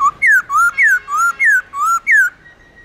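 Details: Alternating low upslurred and high downslurred whistles, about eight in quick succession, from a black-throated laughingthrush singing the long-slurred forest voice meant to stimulate newly caught birds.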